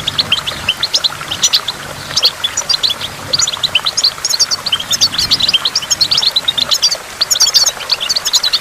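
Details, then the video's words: Goldfinch singing near a waterfall with water drops: quick, high, jangling twitters and trills repeat in bursts with short gaps, over a soft constant background murmur. "in the waterfall stimulates goldfinch and water drops"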